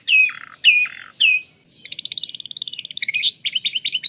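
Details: Atlantic canary singing imitated lovebird phrases in Klaten: three loud, slurred descending notes, then a quick chattering trill that rises into choppy, harsh, stuttering notes.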